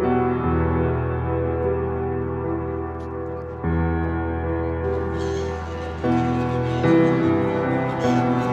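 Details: Sustained organ chords change every few seconds throughout, with no animal sound heard.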